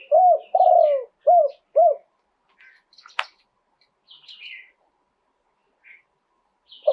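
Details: Spotted dove phrase in the two-kuk style, cooed live: four rounded low coos in quick succession, the second long, then a sharp click and scattered faint chirps from other birds before another coo begins.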